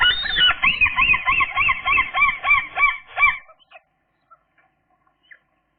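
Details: Seagull chicks, two left at day 13, fed at a tray, 16 June 2021; a rapid series of loud, harsh, harmonic calls, about three per second with a rise-and-fall shape, stopping abruptly after three seconds, then near silence.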